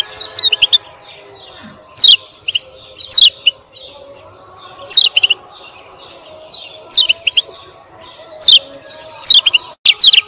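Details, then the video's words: Male Lemon-bellied white-eye from Lombok giving short, bright, twittering "ciak ciak" phrases every one to two seconds over a steady high-pitched buzz, used as a lure and tutor recording. "SUARA BURUNG KECIAL KUNING"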